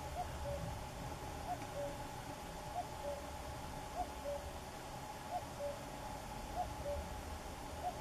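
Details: Common cuckoo song repeated steadily: seven falling two-note phrases roughly every 1.2 seconds, faint, over hissing background and some low rumble.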